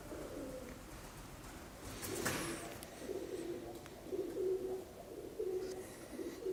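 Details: Pigeons somewhere above the listeners inside a building give low, soft rolling coos in repeated bursts, with a brief knock partway through.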